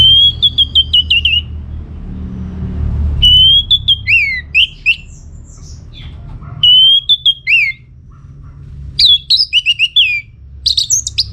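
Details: Orange-headed thrush in full gacor song, played as a lure to make other birds answer: loud, varied phrases of whistled, sharply slurred notes in rapid bursts, separated by short pauses, over a steady low hum.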